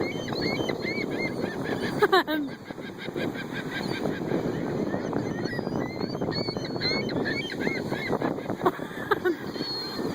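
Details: Wild gulls being fed by hand: a crowd gives harsh, overlapping squawks and yelping cries, with a steady murmur underneath and a few louder bursts.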